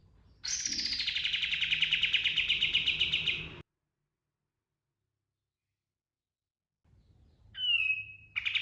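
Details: Pied triller singing a fast rolling trill of the style called ngerol. The buzzy trill lasts about three seconds, falls from high to mid pitch with about four pulses a second, then stops. After a pause come a short whistled note and another trill.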